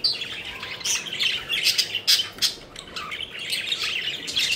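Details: Playful pet budgerigars flying around, with busy chattering: rapid, irregular chirps and raspy squawks in quick succession, some louder sharp notes near the middle.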